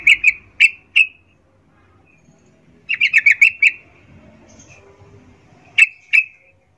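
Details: Female yellow-vented bulbul's arousal call for males, chattering 'ngecuplik' style: scattered sharp chips, a dense run of about six quick notes midway, and two final spaced notes against quiet background.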